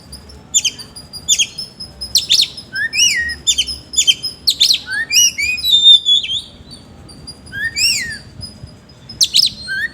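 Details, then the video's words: Oriental magpie-robin in energetic full song, kept bird, with rough filler phrases: dense runs of sharp high chirps, falling whistles and buzzy notes delivered almost continuously for ten seconds. "BURUNG KACER GACOR NGOBRA ISIAN KASAR"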